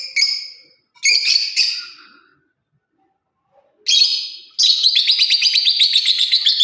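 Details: Lovebird parrot chirping: harsh, buzzy high squawks in two short bursts, a pause of silence, then a louder run of rapid chattering notes that sustain to the end.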